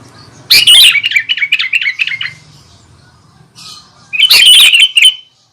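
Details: Sooty-headed bulbul singing to provoke other bulbuls: two loud, bubbly, chattering phrases of tumbling notes, the first longer and trailing off, the second shorter after a brief pause.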